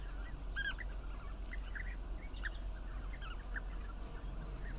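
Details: Scattered bee-eater calls, short purring chirps heard every second or so, over a loud, regular high-pitched insect pulse and low rumbling background noise.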